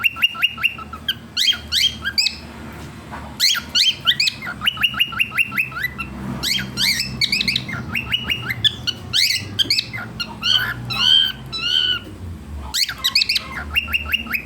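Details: A pet cockatiel gives bright, rapid whistles and chirps in lively bursts with short pauses between phrases. The owner is unsure whether the sounds count as true whistling.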